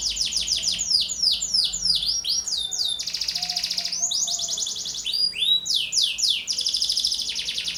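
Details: Canary in lively full song, used as a lure and master recording for training other birds: fast continuous high trills, rapid descending sweeps and buzzy rolling phrases, nearly unbroken for eight seconds.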